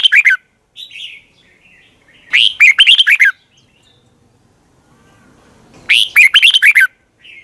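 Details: Red-whiskered bulbul morning song from 2020, a long twisted double-voice style used as lure song to train other bulbuls: loud warbled phrases of quick, rising-falling whistled notes, one short burst then two full phrases about three seconds apart.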